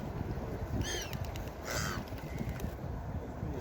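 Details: Seagull at the beach giving two short, nasal, harmonic cries about a second apart, the second louder and wavering, set against constant low surf roar.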